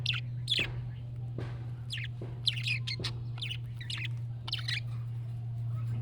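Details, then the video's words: Budgerigar chirping to elicit a pet budgie's reply: short, scratchy chirps repeated roughly every half second over a constant low hum. "MUHABBET KUŞU SESİ Kuşunuz Bu sese Karşılık Verecek Kuş Sesi"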